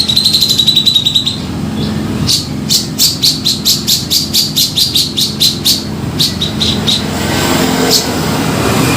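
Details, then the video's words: Grey-cheeked bulbul lure call for trapping: a short fast buzzy rattle, then a long evenly spaced series of about fifteen sharp high chips, over a low constant hum. "Suara Pikat Cucak Jenggot Gacor"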